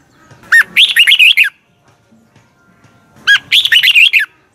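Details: Red-whiskered bulbul morning song in the 'giọng kép xoắn' double twisting style, used as a decoy voice for training birds: two bursts of loud, rapid, slurred whistled notes, each lasting about a second, separated by a quiet pause.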